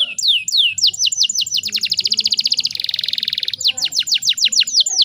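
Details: Female canary in breeding condition, used to goad males into song; repeated falling whistles run into a rapid trill and a buzzing roll, followed by more sharp descending notes.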